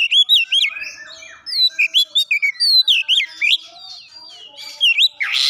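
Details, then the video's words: Oriental magpie-robin song with mimicry of Java sparrow: rapid varied whistled and chirping phrases, sharp upslurred and looping notes, quick trills, continuous busy bright delivery. "kicauan Kacer isian gelatik batu"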